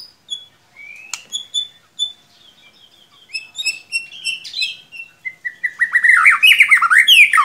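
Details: White-rumped shama song offered as a stimulus to get another shama singing: thin high whistles and pips building gradually into a dense, rapid cascade of twittering notes at the end.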